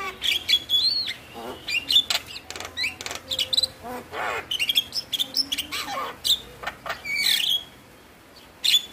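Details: Javan myna song played to prompt lazy mynas into singing: jumbled harsh chatter, squeaky whistles and clicks in irregular bursts, a brief pause near the end before notes resume.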